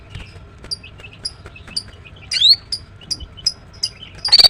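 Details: Soft, spaced high ticks and short whistles from a female greater green leafbird, with one louder slurred whistle midway and a rough, intense burst at the close.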